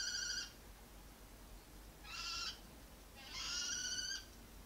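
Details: Breeding male kestrel guarding a nest with one egg left, facing house cats through a window high in a skyscraper. Three loud, harsh held screeches, each about half a second to a second long, separated by quiet pauses.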